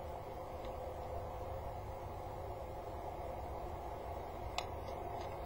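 Steady low hum and hiss throughout, broken only by one faint sharp click near the end, with no animal voice heard.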